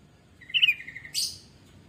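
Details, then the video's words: Sooty-headed bulbul, a lively kutilang used as a lure to prompt singing: a bright warbled note trailing into a level whistle, followed by a short harsh hiss-like burst, with low background hum. "Kutilang Gacor Pancingan"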